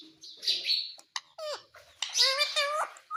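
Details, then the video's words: Pet parrot indoors saying "mummy", a mimicked word: high, wavering harmonic syllables with short chirps between them, a brief gap, then a longer pair of nasal-sounding gliding notes. "मिट्ठू बोल रहा है मम्मी मम्मी"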